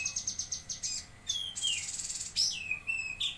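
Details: Lesser green leafbird (cucak kinoi) from Jambi, singing actively: a quick ticking series, then long falling whistles and a harsh buzzy burst ending in curling slurred notes.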